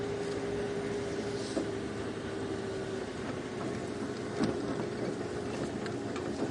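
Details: Vehicle rumble during a sunrise safari drive, a steady engine drone with a thin tonal hum and occasional knocks, and no clear animal call.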